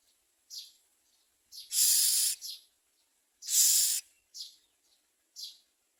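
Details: Common myna feeding its young: two loud, rasping hisses surrounded by several short, faint, higher notes, with quiet gaps between them.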